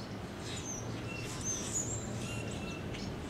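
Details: Brewer's blackbirds, a few hundred gathered in trees along Little Fishweir Creek, early morning of November 11, 2015; rapid overlapping squeaks and sharp high chips from many birds, with a steady low background hum.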